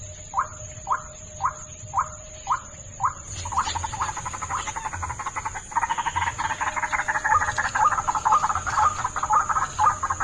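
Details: Lure recording of a white-breasted waterhen: six evenly spaced rising notes about every half second, then a loud, dense chattering chorus of croaks. A steady high electronic whine runs underneath.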